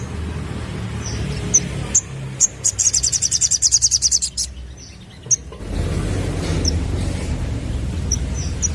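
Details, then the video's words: Lure sound aimed at young sunbirds: a few scattered high chips, then a rapid buzzy high trill of about a dozen notes, followed by more soft chips amid rising background noise. "Burung Sogon Muda Bakalan Langsung Nyaut Denger Suara Pancingan ini"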